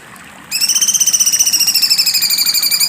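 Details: Cucak cungkok in sharp besetan style, breaking into a loud, rapidly pulsed buzzy trill that runs steadily for over two seconds with a slight drop in pitch.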